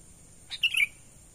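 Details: Natural sooty-headed bulbul call used to attract wild birds: one compact phrase, a soft opening chirp and then a brisk liquid warble ending lower, with steady background hum.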